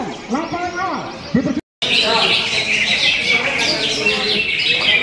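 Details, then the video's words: Greater green leafbird giving a dense, fast chattering song of high twittering and buzzy notes after a man speaks briefly; low voices continue faintly beneath the song. "Materi berkelas cucak hijau"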